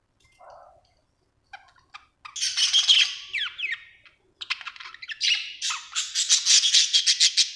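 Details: Happy pet budgerigar chirping: soft low note, then a run of bright, rapid chirps and warbling squeaks, growing denser and louder toward the end.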